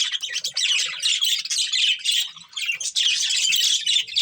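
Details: Budgerigars of a breeding pair chatter in quick, scratchy high chirps and squawks, pausing briefly twice.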